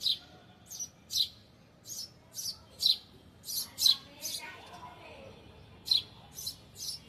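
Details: Small bird sitting on a balcony grill, chirping all day; sharp high chirps come in quick runs, about fourteen notes, with a short quiet gap midway where a faint low murmur is heard.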